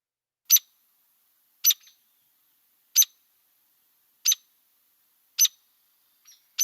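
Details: Hairy Woodpecker, a year-round resident in DuPage County, gives a loud, sharp peek about every second, sharper and louder than a Downy's, each note crisp and sounding two-parted, with a quieter note between.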